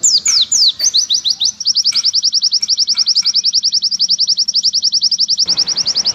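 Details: An Oriental white-eye sings a long, clear, high song meant as a tutor recording for long, clear singing: a few falling slurs, then a fast unbroken run of sweet rising notes, over a faint low hum.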